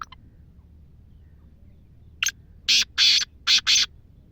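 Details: Black francolin, wild desi bird from Sindh: after a brief squeak and a pause, four loud, harsh, rasping calls, the middle two longest, delivered in a clipped rhythm over low background hum.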